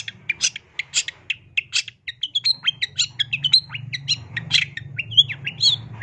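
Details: Varied 'gacor' song from a long-tailed shrike, full 'isian' style: a dense, irregular jumble of high chirps, short whistles and scratchy notes running without break, over a steady low hum.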